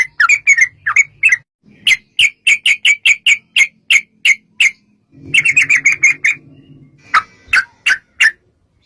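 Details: Long rapid song of a sooty-headed bulbul, used as a lure to make bulbuls call back. Bursts of quick, clipped chirpy notes alternate with short pauses. A low hum sounds during one burst, and a few spaced notes close the clip.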